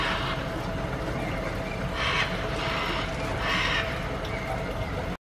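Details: Scarlet macaws at the edge of the Tárcoles River near Tárcoles, Puntarenas, Costa Rica, on 5 November 2018, give harsh, raspy squawks, three rough bursts about a second apart, over a steady low engine- or wind-like rumble.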